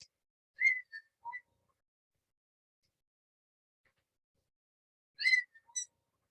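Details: A little owl in the UK, a local bird calling often and sounding somewhat like a distant fox, gives sharp, high yelping notes in two short bursts about four seconds apart, a few dropping lower in pitch. It is otherwise quiet.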